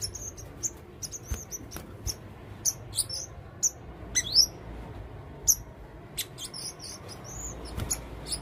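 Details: Male blue-crowned hanging parrot, red-throated, singing busily: a lively string of sharp, very high twittering chirps and thin slurred notes, some in quick doublets, against a quiet low background.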